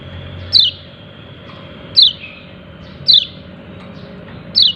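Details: "Ciak ciak" call of a yellow-breasted white-eye, four bright, high chirps that slide quickly downward, about every 1.3 seconds, over a thin steady tone and low hum.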